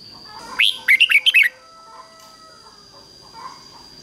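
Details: Red-whiskered bulbul kept as a decoy, singing to call wild birds: one rapid burst of slurred whistled notes early on, then faint distant bird notes and a steady high whine.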